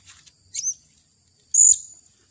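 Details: A blue-crowned hanging parrot (Loriculus galgulus), angry after being lured and caught on 15 June 2020, gives two very high, thin, shrill squeaks about a second apart, each under a quarter-second, over a faint steady high whine.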